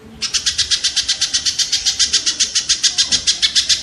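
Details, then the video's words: Kingfisher, audio for training songbirds: one unbroken series of loud, grating notes, evenly paced at nearly four per second. "suara burung tengkek"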